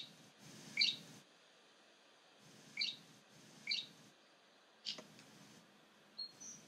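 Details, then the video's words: Great grey shrike song at Stjørdal, Trondheim Airport, Norway, on 3 April 2019: brief, high, scratchy chirped phrases spaced one to two seconds apart, with a faint steady hiss behind. "Great grey shrike Song, Raubwürger Gesang, Varsler sang, Varfågel sång"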